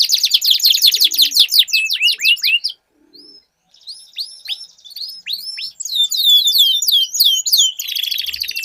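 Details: Canaries dueling in song give bright, high, fast trills and long rolled phrases, with downslurred whistles and chattering bursts in quick succession, after a brief pause.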